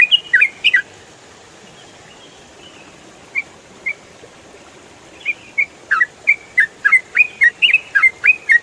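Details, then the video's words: Yellow-vented bulbul, known locally as trucukan, calling in ropel style for songbird tutoring: an opening cluster of sharp chirps, a few isolated notes, then a fast irregular series of clipped, slightly falling chips. "MASTERAN TRUCUKAN ROPEL FULL SUARA JERNIH"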